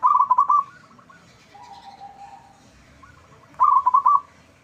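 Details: Zebra dove of local stock, loud-voiced, used for luring answers: two quick rattling bursts of staccato coos about three seconds apart, a softer long low note between them, light background rumble.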